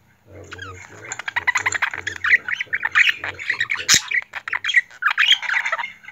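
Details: Talking budgerigar kept as a pet, credited with saying the name "Hasibe"; dense scratchy warbling chatter with chirps and squawky phrases building after a short quiet start, a sharp click midway, low hum underneath early on.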